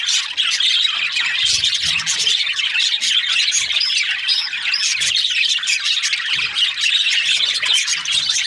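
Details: Many budgerigars chirping together in a dense continuous chatter of high warbles, squawks and twitters with no pauses, a busy flock sound throughout.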